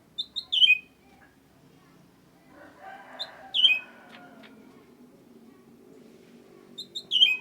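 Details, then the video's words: Sooty-headed bulbul song of quick whistled notes falling into a slurred ending, phrases separated by a few seconds; a burst of rustling, clattering noise fills the middle. "Suara kicau cucak ranting BIG gacor"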